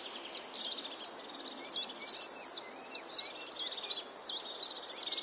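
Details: European crested tit giving high sharp notes that drop and hook, about two or three a second, some fused with brief purring trills, repeated evenly against a quiet hiss.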